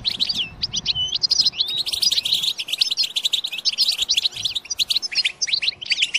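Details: European goldfinch song used to encourage goldfinches to sing and mate: quick, jerky run of upslurred and downslurred chirps, continuous twittering with a faint low hum at the start.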